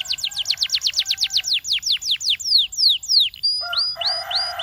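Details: A trained canary sings a quick cascade of crisp down-slurred whistles that slow and lengthen, followed by a few upward-hooked notes over softer chattering in the background.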